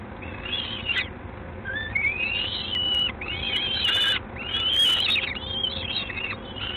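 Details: Peregrine falcon recorded in Gdańsk, Poland, on 3 June 2016 in the evening. Harsh, strained calls with rising and falling phrases run almost without a break. There is a low background rumble and some clicks.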